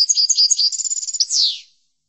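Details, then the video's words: European goldfinch song used for training goldfinches: a rapid run of bright, liquid twittering notes lasting about 1.7 seconds, ending in a louder buzzy descending slur, with a clean quiet background. "لتحفيض الحسون chordonier"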